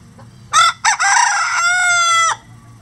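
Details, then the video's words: Rooster crowing on a farm holding at least twenty roosters of standard and bantam chicken breeds; a loud crow of two short harsh syllables and a long even held note cut off sharply, with a low hum beneath. "20 Roosters Crowing For 20 Minutes | Chicken Sound Effects"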